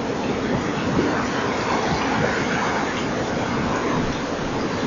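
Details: Continuous rushing noise, like traffic or rain, fills the recording and no animal is heard.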